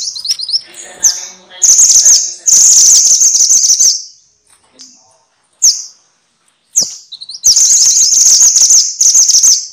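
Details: Minivet, known in Javanese as mantenan and in Indonesian as sepah, recorded as tutor sound for songbirds: loud shrill high chatter in bursts of one to two seconds, separated by quiet gaps and brief sharp chips.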